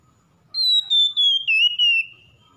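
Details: Oriental magpie-robin, played as therapy to get a stressed, silent bird singing. One long, pure whistle slides slowly downward, broken into several short even segments, over a quiet background.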